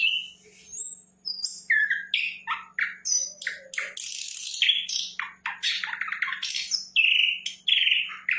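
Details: Sikatan londo flycatcher in vigorous song: a long, varied chain of quick chirps, slurred whistles and rasping bursts, delivered almost continuously over a faint low hum.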